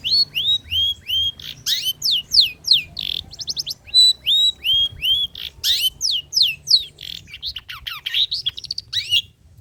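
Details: Rich old-style mimicry song from a long-tailed shrike, used to lure and tutor other birds. Fast, continuous strings of high sweeping whistles and buzzy trills change pattern every second or so.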